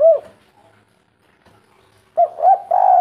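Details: Kuk 3 style coo of a local spotted dove: a single rounded coo, nearly two seconds of silence, then a quick pair of coos running into a long, steady drawn note.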